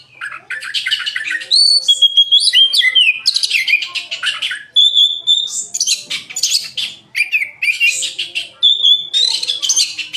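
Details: Energetic oriental magpie-robin song: fast bursts of scratchy chatter alternating with clear, steady whistled notes, delivered almost without pause at full volume.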